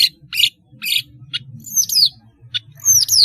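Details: Singing long-tailed shrike, melodious and active, played to teach young birds: four harsh, scratchy notes, then high whistles that fall steeply in pitch, a short rasp, and another descending whistle, over a low background hum.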